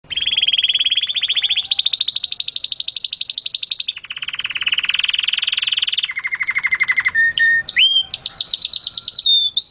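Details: Canary singing a loud, fast song of rapid repeated trill rolls, each held for one to two seconds before switching pitch, ending in sliding whistled notes.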